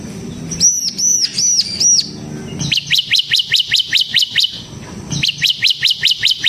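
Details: Ngebren song of a bar-winged prinia, ciblek semi. It opens with four clear, arched whistles, then shifts to fast, high, ticking chirps in two long runs with a short pause between them.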